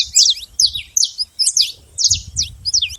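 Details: Saffron finch singing free in nature, giving spaced, squeaky high chirps about every half second, each a quick up-and-down slur, with a soft low rumble in the background.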